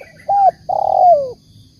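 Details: A spotted dove (Spilopelia chinensis) gives a short hooting coo, then a longer, throatier coo that slides downward at the end, both low and mellow, with no other sounds.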